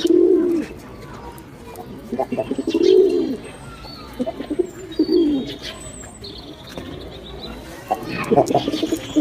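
Pigeons give soft, low, rolling coos in bursts every couple of seconds, with faint higher chirps and light background noise.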